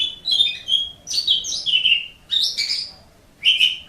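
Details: Asian pied starling singing for training pet birds: clear whistles sliding downward mixed with harsh, squeaky notes in three or four short phrases.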